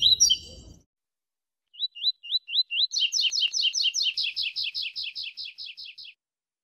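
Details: Bred coleiro, a double-collared seedeater singing in the Brazilian classic style: a sharp opening burst, then five slurred upswept whistles followed by a fast, even train of about twenty buzzy doubled notes that fades out, in otherwise silent surroundings.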